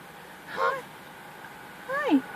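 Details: Raven giving two odd, warbling croaks with bending, harmonic-rich tones, the second sliding downward, spaced about a second and a half apart in a quiet setting.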